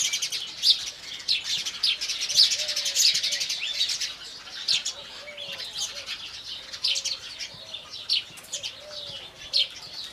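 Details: Morning chorus of Indian house sparrows: many short, sharp chirps layered thickly, rising and falling in bursts, with occasional soft low whistled notes in the background.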